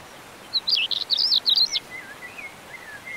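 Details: Common stonechat in the mountains of León, Spain, May 2019, delivering a quick, scratchy, high warble of jumbled chirps. It trails off into thin, lower whistled notes over a faint hissing background.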